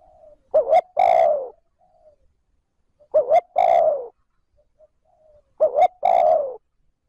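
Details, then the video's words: Spotted dove kept as a decoy, cooing 'trơn ròng' to draw in wild birds. Three evenly spaced phrases each pair a quick two-note lead-in with a long, rich coo that slides downward. No other sounds are present. "Tiếng cu gáy trơn ròng thúc gù gáy kích bổi nhanh nổi / Cu gáy gọi trơn ròng"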